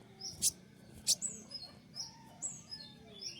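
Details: Male Javan white-eye, freshly trapped and in taming while learning sounds, gives thin high descending chirps in irregular quick succession, broken early by two loud sharp knocks, over a low murmur of background noise.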